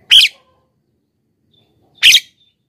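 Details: Javan myna (jalak kebo) call played to lure wild birds and prompt caged birds to answer: two loud, harsh, grating bursts two seconds apart on a silent background.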